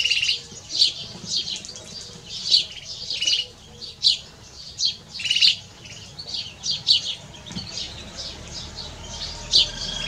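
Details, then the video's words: A canary x goldfinch hybrid sings a bright, high twittering song of quick chirps and trills in bursts about every second, over faint background hiss. "Mixto de jilguero (canary x goldfinch ) - هجين الحسون"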